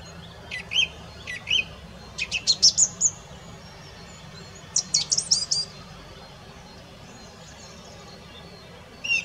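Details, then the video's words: Wild song thrush song with short phrases: a pair of repeated whistled notes, then a quick run of sharp staccato notes, a pause, and a high chattering phrase, with a new phrase starting at the end. "Songtrush / Song - Singdrossel / Gesang"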